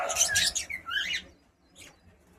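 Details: A female pet cockatiel that is learning to sing bursts into harsh, warbling squawks with a rising, twisting chirp, then a faint short call after a brief pause.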